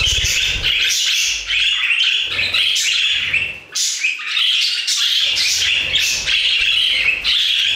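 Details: Many budgerigars singing together in an aviary: loud, unbroken chattering warble with raspy and whistled notes, a brief dip near four seconds, and low thumping sounds underneath.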